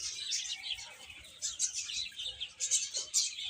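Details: Chicks eating and playing, giving a dense chorus of high, thin chirps and peeps. The calls overlap continuously, with brighter bursts near the middle and end.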